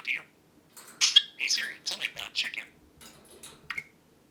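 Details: Male budgerigar with a large vocabulary talks while sitting on its owner's shoulder: quick bursts of raspy, speech-like babble in high clipped syllables, several loud phrases, brief quiet gaps, ending in a short whistled note.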